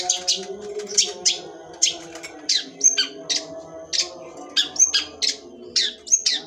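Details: Long-tailed shrike in its sembur singing style: harsh, high, burst-like notes fired repeatedly, roughly two or three per second, over a steady low humming drone in the background.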